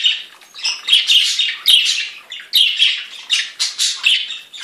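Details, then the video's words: Several budgerigars singing in a continuous, busy warble of scratchy chirps, squeaks and short chattering bursts, mostly high-pitched, with loud rhythmic pulses about every half second. "Chant perruches"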